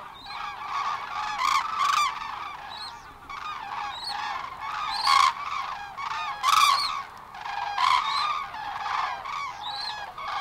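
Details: Cranes at Matsalu (1979 field recording) call in chorus: loud, rolling trumpet-like honks from several birds, overlapping in bursts every second or two.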